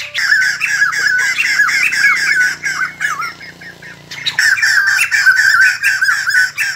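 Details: White-crested laughingthrush, kept bird, singing while dancing: loud rapid harsh chattering notes about four per second, a brief quieter pause mid-way, then the chattering resumes; faint low hum beneath.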